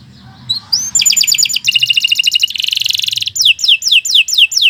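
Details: Canary song recorded as a long, lively training song: after a faint start, rapid trills of high chirps, buzzy rolled phrases and repeated downward-sweeping whistles follow one another without pause.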